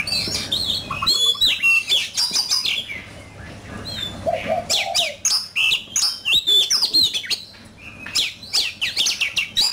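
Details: Oriental magpie-robin singing in a fighting contest: varied whistled phrases and chirps, a short quieter passage in the middle, then loud bursts of rapid, sharp notes.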